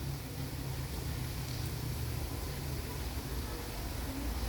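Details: Only a steady low engine-like rumble and broadband hiss are heard, with no animal calls.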